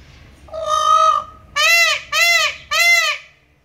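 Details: Captive peafowl at Tulsa Zoo, Oklahoma, giving one of their more normal calls: one drawn-out nasal wail, then three loud, arched, trumpeting cries in quick succession, each under half a second; otherwise quiet.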